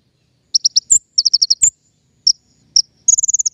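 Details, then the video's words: King konin, recorded to lure birds for trapping, giving quick groups of sharp high chips, a few single whistles and a closing rapid trill. "PIKAT KING KONIN SUARA PANCINGAN"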